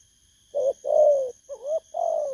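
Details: Brief burst from a newly caught spotted dove of the 'bầu' kind: a short coo, a long resonant one, a quick upward-bending note, then another drawn-out coo, over faint high humming.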